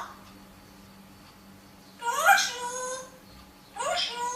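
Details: A parrot indoors utters two harsh, buzzy, speech-like phrases with rising tones after a quiet start, over a steady low hum.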